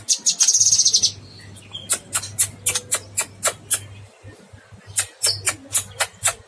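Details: Cucak kinoy singing vigorously (gacor), delivering a long burst: sharp, very high ticking notes repeated about four per second, opening with a dense shimmering trill, over a steady low hum.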